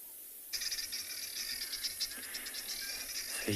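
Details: Guineafowl at dawn on a cool, still, cloudy morning, 16 September, Tswalu Kalahari Reserve, South Africa, calling in the background while a lioness tries to hunt it: a harsh, rapid, rattling stream of high, scratchy notes, with a faint low rumble beneath.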